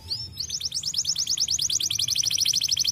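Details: Canary song used to stimulate other birds to sing: one rising whistle followed by a rapid, steady rolling trill of short high notes lasting several seconds.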